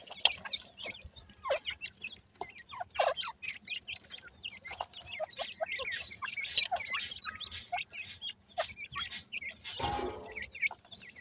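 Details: A brood of partridge chicks being fed peeps constantly in thin, high, overlapping chirps, several each second, with a brief scratchy rustle near the end.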